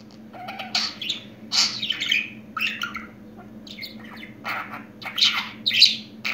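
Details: Indoor pet budgerigar, said to be a new talker, produces harsh squawky chirps in irregular bursts about every half second to second, mixed with scratchy warbling, over a faint steady hum.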